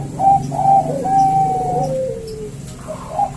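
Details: A pair of male Bangkok zebra doves respond to one another. A few short coos lead into a long, drawn-out note that slides downward, then softer coos follow.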